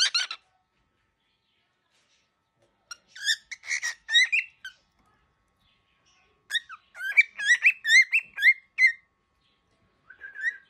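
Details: A very angry baby cockatiel sends out clusters of scratchy chirps and rising whistled squeaks in separate bursts, with quiet gaps between the bursts.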